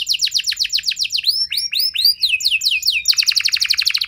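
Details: Canary song for provoking quick responses and long singing from other canaries: fast repeated falling notes, a run of slurred whistles, then a lower, rapid rolling trill.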